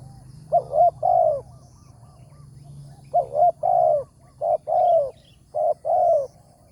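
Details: Spotted dove with a large voice, calling at a morning trapping site near a decoy. Three repeated phrases of soft hooting coos, each a quick doubled note followed by a drawn-out falling coo, separated by short pauses over a faint low hum.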